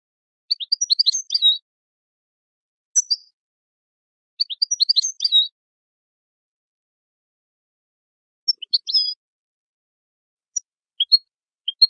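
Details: European goldfinch song for training birds: short bursts of bright, high twittering chirps separated by pauses, with scattered single tweets toward the end; no other sounds.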